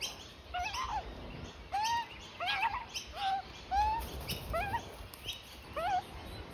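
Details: Young Australian magpie begging beside its parents at lunch in a front yard; quieter, thinner arched squeals given in short bursts about every second, some with wavering upward notes, over faint background hiss.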